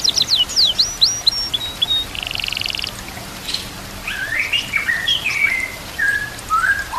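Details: White-rumped shama song used as masteran over a background of nature sounds and water: fast high sweeps and short whistles, a buzzy grating phrase, then lower slurred warbling whistles.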